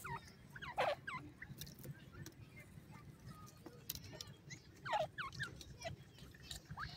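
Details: Young francolins in the forest give two brief clusters of sharp, falling peeps a few seconds apart, with fainter scattered chirps and steady low background noise between.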